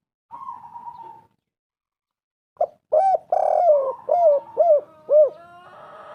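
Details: Spotted dove cooing as a master call to set other doves calling. A faint level tone, a pause, then a sharp note, a rough coo and three bowed notes in quick succession.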